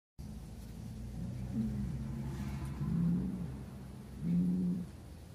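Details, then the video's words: A male great grey owl gives three very deep, soft hoots about a second and a half apart, over a steady low background rumble. "Male Great Grey🦉owl hoots"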